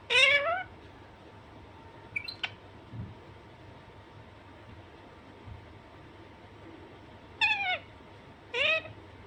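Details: Alexandrine parakeet (Psittacula eupatria), a pet, gives three loud, nasal, meow-like squawks, one at the start and two close together near the end, with a brief squeak between over a steady hum.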